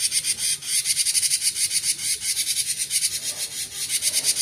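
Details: Cinereous tit delivering konslet-style song: a continuous run of raspy, high buzzing notes pulsing quickly and evenly for the whole stretch, with no other clear sounds.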